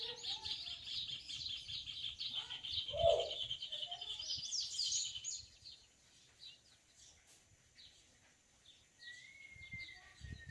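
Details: Wild yellow-bellied seedeater in nature singing to its female, eager to nest; a dense, high buzzy twittering runs steadily for about five seconds, then fades. A low dove-like coo sounds once, and a thin rising whistle comes near the end.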